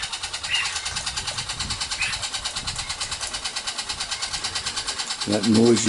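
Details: Baby Princess Parrots, fed by their mother in a nesting box on a rainy morning, 12 December 2017, give a steady, rasping buzz pulsing about three times a second; a man speaks briefly at the end.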